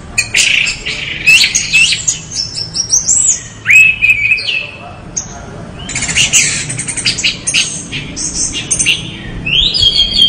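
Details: Orange-headed thrush pouring out a varied, continuous song of high whistles, trills and slurred notes, with a brief quieter gap midway before the phrases resume.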